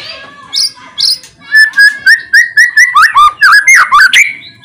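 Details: Loud white-rumped shama song to set off other shamas singing: a couple of high notes, then rhythmic repeated whistled notes about two to three per second, speeding into a jumbled flourish.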